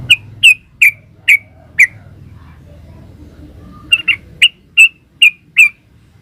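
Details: Yellow-vented bulbul in lively 'gacor ropel uplik' form: short sharp notes repeated about every half second, a run of five, a pause, then six more, with a faint low hum behind.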